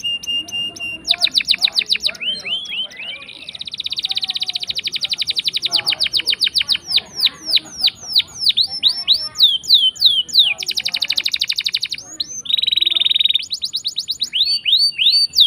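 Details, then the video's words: Canary singing at length as a lure for reluctant singers, with rolling trills of rapid pulses, downslurred whistles, and sustained buzzy rolls changing pace throughout, all high-pitched. "Pancingan Kenari Gacor Ngeroll panjang!! Buat Kenari Macet Bunyi pun Langsung Respon"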